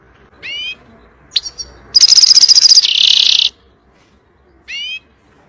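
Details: European goldfinch singing to teach young birds: a harmonic nasal note, a couple of chips, a fast buzzy trill and harsh rasp, then another nasal note.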